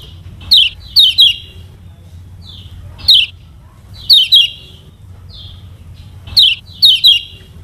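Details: Lemon-bellied white-eye of Lombok, used as a teaching lure for other birds. Short bright chirps come singly and in quick pairs or triplets, separated by silent gaps of about a second.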